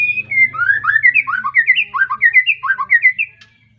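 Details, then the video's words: White-rumped shama, a young bird just past its juvenile moult, from an Arko line in Pemalang, Indonesia, sings a rich flowing series of loud slurred whistles, rising and dropping in rapid alternating phrases roughly three per second. "Kicau Murai batu lepas trotol,suaranya heboh"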